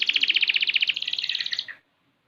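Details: Young six-month-old canary in full song: a rapid, even trill of bright high notes, about twenty pulses in under two seconds, shifting slightly higher midway before stopping abruptly.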